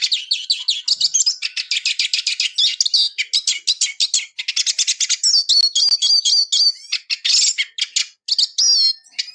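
A Eurasian siskin sings a fast, continuous twittering of high chirps and rattling trills, broken by a few thin, drawn-out wheezy notes.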